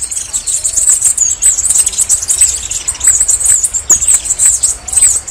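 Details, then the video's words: Red-necked Tanager song: a continuous run of very high, thin, sibilant notes, rapidly repeated and slightly warbling, with faint lower chips beneath. "SAÍRA MILITAR, MELHOR CANTO"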